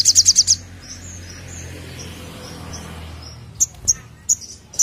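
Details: Short burst of five rapid high notes from an olive-backed sunbird in 'nembak' song, followed by soft thin twitters and a handful of separate sharp chips.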